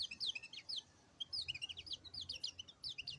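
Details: White-eye song: rapid, high, thin twittering of short sweeping notes in jumbled bursts, with a brief pause near one second before the chatter resumes and runs on to the end.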